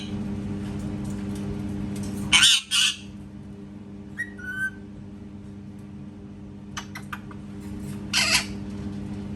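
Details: Pet parrot making cat sounds: loud rasping double squawks separated by short clear whistled notes and faint clicks, with quiet gaps and a constant low hum indoors.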